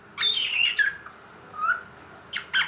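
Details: Pet green ringneck parrot talking indoors in a small room: harsh squawky, speech-like notes sliding downward, a brief pause, then two short rasping bursts.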